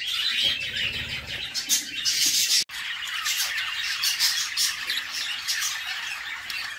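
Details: Inside a nest box, a mother budgerigar feeds her babies while they keep up an unbroken wall of rasping, hissy squeals, steady in loudness apart from a short dip, with faint low thumps early on.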